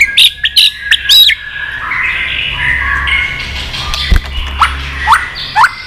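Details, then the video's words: Wild-caught adult white-rumped shama singing in a contest mood, several varied voices and tail flicking: loud harsh squawky notes and short sharp whistles at the start, a softer warbled stretch, then a run of quick rising whistled notes. "chòe lửa già rừng giọng chất. kích chòe lửa sổ nhiều giọng. chòe lửa căng lửa tạch đập đuôi liên tục"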